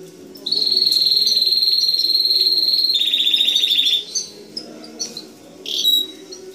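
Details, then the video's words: Sustained high, even canary trill lasting several seconds, shifting to a slightly lower rapid pulsed roll, followed by a few scattered short notes. "Kanarya Ötüşü"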